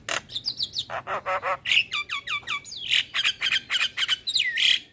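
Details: Male Javan myna, a vigorous caller summoning companions and used as a lure for catching mynas: rapid series of harsh chattering notes mixed with whistled, sharply falling and rising slurred phrases, loud and repeated throughout.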